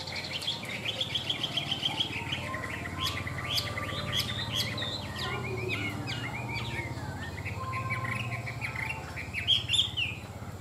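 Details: Tame caged Chinese hwamei singing a rich, varied run of quick whistled and slurred notes, many short phrases tumbling over one another with a steady low hum underneath.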